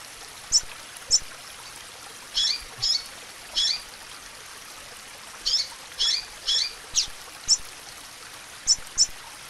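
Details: Female double-collared seedeater calling to stir up a male: short, sharp, high chip notes, singly or in quick pairs, about a dozen in ten seconds, with a steady hiss behind.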